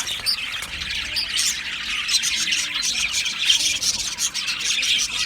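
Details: Australian budgerigars chirping in a steady, dense chatter: many overlapping high, scratchy chirps, squawks and short whistles without pause, rising and falling in loudness, no other sounds standing out.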